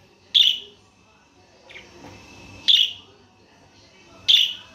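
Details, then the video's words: A budgerigar gives three short, harsh, scratchy chirps about every two seconds, with one softer chirp between them and a faint steady whistle-like hum underneath. "صوت التغريد الأصلي لطائر البادجي طيور الحب"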